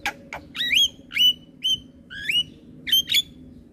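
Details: Javan myna, a caged bird used for master song, giving loud whistled notes that sweep upward with buzzy harmonics, repeated roughly every half second over quiet hum.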